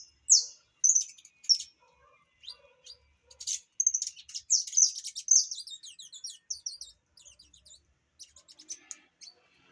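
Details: Saffron finch of the opaline colour variety singing: a lively run of high, sharp chirps and short trills, the loudest notes in the first half, then faster, softer twittering fading toward the end; no other clear sounds.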